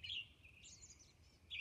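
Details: A Robin sings at dawn on Orcas Island: one bright whistled phrase opens, then softer high notes follow, and another phrase begins at the end.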